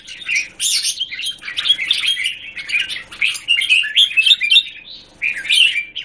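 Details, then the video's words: Red-whiskered bulbul, or jambul, kept in a square A cage, filmed 17 January 2019: a lively stream of quick, high chattering notes and twittered phrases with short pauses, ending with a louder burst. "Jambul - WingChun mastery of the square cage"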